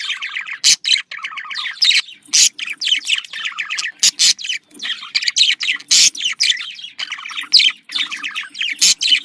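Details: Budgerigar, an Australian parakeet, calling to communicate, described as happy: continuous lively warbling of quick descending chirps and buzzy notes, punctuated by frequent loud clicks.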